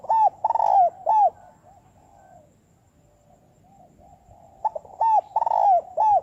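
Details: Very fast 'thúc bổi' trapping lure call of a spotted dove. Loud hooked coos come roughly every half second, fade to a soft quiet stretch, then return as a quick series of strong arched notes.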